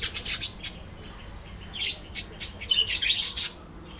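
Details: Budgerigars chattering together in a colony, with rapid ticking notes and overlapping high, scratchy chirps and squeaks building toward a busier burst near the end.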